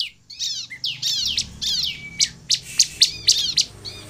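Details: Sunda bush warbler singing to draw other birds into song: a jumble of scratchy downslurred notes and a thin whistle, then a series of sharp, evenly spaced high chips.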